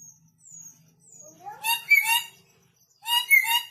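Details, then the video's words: Red lory fresh from North Maluku and still aggressive lets out two loud, grating screeches with a rising squeal, preceded by soft thin downslurred whistles and a low hum. "MASIH GALAK ‼️BURUNG NURI KEPALA MERAH BARU DATANG DARI MALUT"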